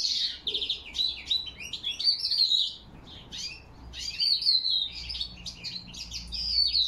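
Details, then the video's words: In October 2021 a European goldfinch sings its autumn song while a crested lark whistles: jangling twitters and buzzy trills, with drawn-out whistled notes woven between bursts. "Осеннее пение щегла под высвисты посметюха"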